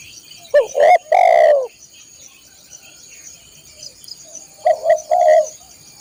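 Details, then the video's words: Spotted dove singing for the training of caged birds: one phrase of short coos ending in a long falling note, a pause filled with insect hum, then a further pair of coos. "masteran burung tekukur/derkuku"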